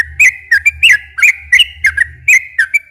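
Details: Sooty-headed bulbul song used as a lure to make captive bulbuls sing, with long continuous phrases: bright whistled notes that dip and rise, delivered in quick bursts about every quarter second, with a faint low hum beneath.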